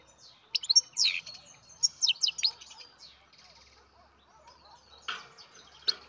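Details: Captive-bred baby European goldfinch giving thin, high chirps in short clusters, with sharp downward-sweeping notes near the start, a quiet spell of faint twitter, then a few more chirps near the end.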